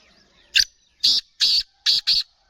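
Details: Kala teetar, a black francolin of the Sheedi type, calling in one grating phrase: a clipped opening note, then two longer harsh notes and a closing rapid pair, all loud and raspy against near silence.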